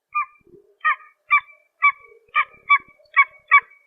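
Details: Pied-billed Grebe, a small brown grebe of ponds and marshes across the Americas, giving a series of eight loud, hollow, barking notes with rich harmonics, repeated roughly twice a second at uneven spacing, with faint lower grunts between them.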